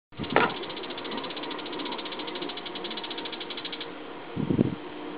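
A Bull-headed Shrike gives a harsh, rapid rattling chatter lasting nearly four seconds, followed by a brief low thud.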